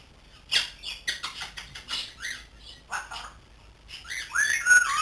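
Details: Pet grey parrot aged three months, learning to talk, makes a rapid run of rough clicks and short squawks, ending in louder bent whistled notes.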